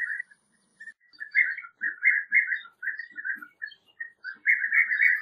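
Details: European bee-eater giving rolling, burry trilled notes in short bursts, some run together into longer purring phrases, with brief silent gaps between them; faint softer notes underneath.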